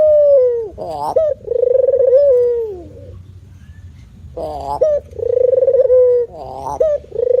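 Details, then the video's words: Spotted dove giving two cooing sequences separated by a quiet gap of over a second. Each has a falling low note, a buzzy wavering note, and a long throbbing coo with a sinking finish. "Bunyi Tekukur Jawa"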